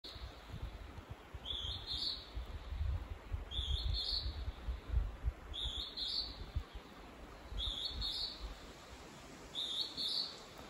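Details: Northern hawk-cuckoo singing in Kyoto, Japan, on 5 June 2024: high, piercing two-note whistles, the second note rising, repeated about every two seconds, five times, over a steady low rumble of background noise.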